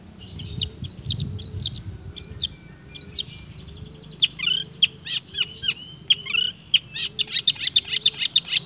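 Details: Long-tailed shrike imitating other birds in steady song: several clear arching whistles open, then a quickening chatter of sharp downslurred notes that speeds into a dense stuttering run.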